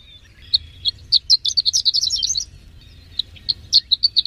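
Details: Horsfield's bush lark, a bird that placed third in a singing competition, delivering a rapid run of sharp, high chirps. The notes bunch into a dense burst midway, then come as spaced single notes, over a faint low rumble.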